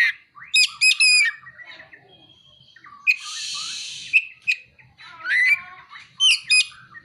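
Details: Song of a kacer, or Oriental magpie-robin, carrying copied prinia and sunbird calls: clusters of high ringing chips, a long harsh buzz, thin level whistles, and trilled descending phrases.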